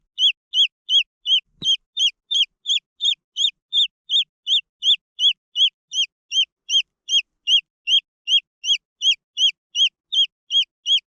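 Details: Green junglefowl chicks giving loud, high, arched peeps, each rising then dropping, repeated steadily almost three times a second throughout; one faint low knock early on.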